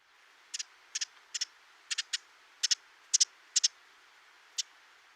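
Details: In winter, a Ruby-crowned Kinglet gives dry, high chit notes, mostly in quick doubled pairs about twice a second, over a faint hiss; this call serves as a flock contact call and also as an alarm and mobbing call.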